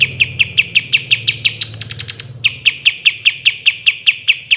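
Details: Kapas tembak singing a fast, regular run of sharp high notes, about three per second, broken midway by a brief higher buzzy rattle, then resuming the even series, with low rumbling noise beneath.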